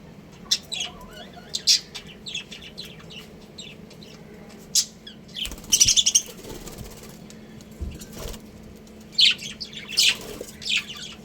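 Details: Pet budgerigars, a breeding pair, giving scattered sharp chirps and squeaks in short clusters, separated by quiet gaps, with brief rustling wing flutters and a steady low hum in the background.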